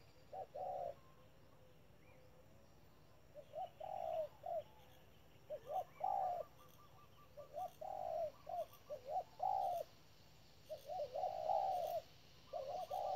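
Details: Spotted dove calling as a decoy bird at a trap: low soft coos in short groups, each ending in a longer drawn-out note, repeated with gaps of a second or two, over faint background hiss.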